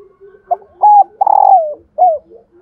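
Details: Female spotted dove cooing to stir males into calling: a brief note, a level coo, a long rough coo trailing downward, then a shorter closing coo over faint low murmuring.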